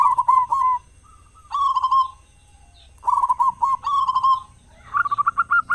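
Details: Zebra dove of a local strain, kept as a loud singer to coax other doves into song at morning and evening. It gives rapid, throaty cooing phrases in three bursts, each ending in quick stuttered notes.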